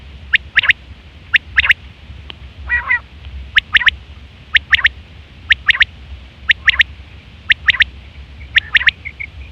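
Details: Female quail calling, used as a lure sound for quail hunting and trapping: sharp, high notes in quick pairs and triplets, repeated about once a second, with a few softer, rougher bursts between them over a low, steady hum.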